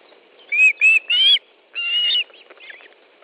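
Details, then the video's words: Osprey calling at its Estonian nest during a July fish delivery: three quick whistled notes, then a longer drawn-out whistle and a few faint chirps. "Osprey nest, Estonia 10th July 2013 13.20 Fish delivery"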